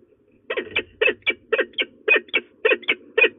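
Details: Female peregrine falcon threatening at De Mortel, Netherlands, 27 February 2024 at 12:02: after half a second of quiet, harsh rasping kek notes start, mostly in close pairs, roughly two notes per second, steady and loud.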